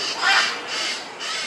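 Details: Blue-and-yellow macaws, about five feeding on fruit in downtown Campo Grande, two minutes' drive from the airport, with red-shoulder macaws nearby; one gives three harsh, raspy squawks in quick succession, each about half a second long, loud and broad-toned.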